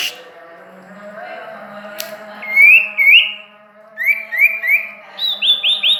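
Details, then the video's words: Bird given as sirtu or common iora (cipoh), Ajibarang, sings short rising whistles in pairs and triplets, separated by quiet gaps over a faint low hum. "Suara burung sirtu,cipoh Ajibarang"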